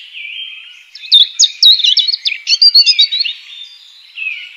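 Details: A European robin in the wild opens with a soft, steady thin note, then bursts into a loud two-second phrase of fast, varied, tumbling high notes before trailing off quietly.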